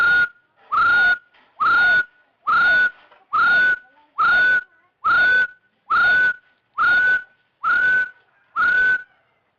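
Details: Rufous-throated partridge call used as a lure for trapping; clear whistled notes, each sliding briefly upward then holding level, repeated steadily about once a second, ten in a row, with no other sounds.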